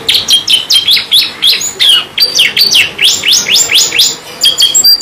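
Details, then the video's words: Active 'gacor' canary singing, a steady series of emphatic down-slurred chirps about three per second, bright and sharp, with only short pauses between bursts. "KENARI GACOR NGEROL NEMBAK | CANARY SINGING"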